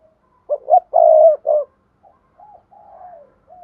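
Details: Spotted dove cooing meant to prompt other doves to call: a loud phrase of quick short notes, a long held coo and a final note, followed by several softer, falling coos.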